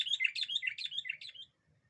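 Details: Lure-bird song of a sooty-headed bulbul that riles up other birds: one rapid, chattering burst of bright warbled notes lasting about a second and a half, then quiet with a faint low murmur.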